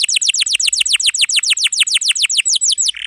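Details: Canary song offered as a training model for young canaries and for birds that have stopped singing: a dense, rapid roll of sharply falling whistled notes, about three per second and a half-dozen per second, running steadily to a final burst.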